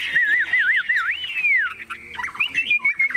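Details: Chinese hwamei kept in a cage, unafraid of people, delivering a rolling, wavering whistle that loops up and down, then a long sweeping slur and quick chattering notes.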